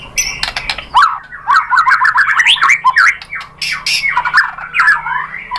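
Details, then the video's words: Harsh, scratchy white-rumped shama song meant to provoke singing, full of rapid, tangled slurred notes and chattering bursts with little pause between them. "MURAI BATU jadi NYAUT GACOR BONGKAR ISIAN ¦ PANCINGAN MURAI ¦ SHAMA BIRD"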